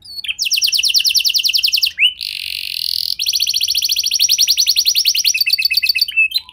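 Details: Canary singing as a lure to draw other canaries into song: a rapid buzzy trill, a brief harsh noisy burst, then another long fast rolling trill with chirps at the end.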